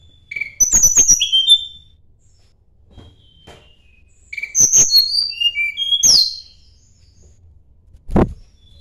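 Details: Two short phrases from a Sunda blue robin seeking a rival: clicks followed by high, falling whistles, with quiet gaps between them and a single low thud near the end.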